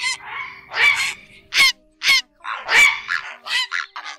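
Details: Grey heron flock calling for night netting of migrating birds in August 2024, the ét and ọc ọc style: coarse, grating squawks, some long and some clipped, following each other irregularly over a few seconds.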